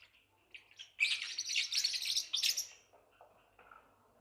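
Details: Newborn Forpus parrotlet chicks: a quiet start, then a loud two-second burst of high, scratchy, rapidly repeated begging chirps, trailing off into faint calls.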